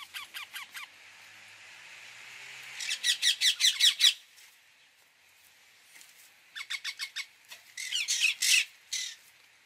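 Rose-ringed parakeet giving harsh, shrill screeching calls in rapid bursts of four to six notes, with pauses between the bursts.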